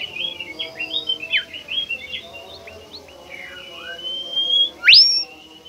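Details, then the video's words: Bimoli bird, a shy and rare species, in a lure recording: quick varied chirps and slurred whistles, then a long level whistle and a loud rising sweep near the end. "burung bimoli DIJAMIN NGAMUK dan GACOR dengan pancingan bimoli ini"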